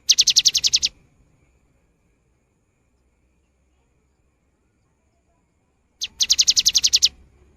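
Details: Cinereous tit in strong singing form, recorded for playback to prompt birds that have not yet sung: two short bursts of about ten rapid, high, evenly spaced ticking notes, separated by five seconds of near silence.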